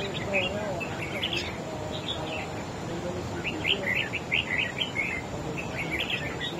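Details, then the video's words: Red-whiskered bulbul in a singing contest with a rival bird, giving quick clusters of bright chirped notes, with a livelier run of rapid warbles near the middle, against constant broadband background hiss. "Chim Chào Mào Của A Tủa Hót Đấu Ché Đè Đối Phương Quá Khét."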